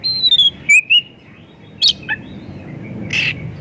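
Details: White-rumped shama lure song for other shamas: a long descending whistle, quick chirps, then a brief harsh buzzy note.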